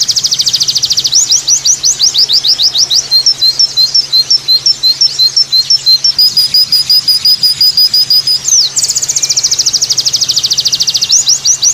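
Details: High-pitched white-eye song in the 'tembakan' variation style: a rapid trill, then sliding whistled chirps alternating up and down, a sustained bright note, and a closing fast buzzy trill, with a faint low hum behind.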